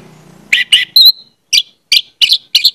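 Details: Orange-headed thrush (anis merah) pancingan lure song: a low hum in the background, then a string of harsh, buzzy chirps and one clear whistle, repeated at irregular short intervals.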